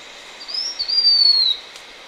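A Blue-winged minla gives one thin, high whistle that slides slowly downward over about a second, over faint background hiss.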